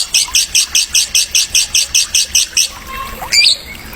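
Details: Male Medan-type white-rumped shama in a tutor song used to stimulate birds: about a dozen high buzzy repeated notes roughly four per second, then a couple of short scattered chirps against faint background hiss.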